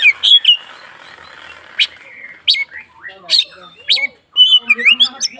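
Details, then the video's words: Oriental magpie-robin (kacer) in agitated 'konslet' fighting mode, singing to provoke other magpie-robins: sharp high whistles and chattery bursts, scattered notes separated by short pauses, with lower rasping notes near the end. "SUARA BURUNG Kacer konslet TARUNG untuk PANCINGAN KACER agar ikut KONSLET"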